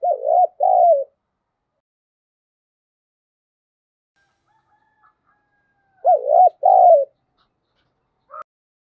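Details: Spotted dove lure bird in the 'giọng thổ' voice style, cooing to provoke other doves to call: two low cooing phrases about six seconds apart, each of quick rising-falling notes ending in a longer falling note, then a brief fragment.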